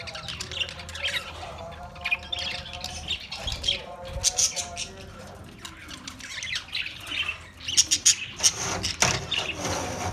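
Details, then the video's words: Australian parrot squawking and chirping in uneven bursts, some warbled notes midway and louder sharp calls near the end, with a possible faint voice in the background. "Beautiful Australian parrot video Bird Chirping sounds"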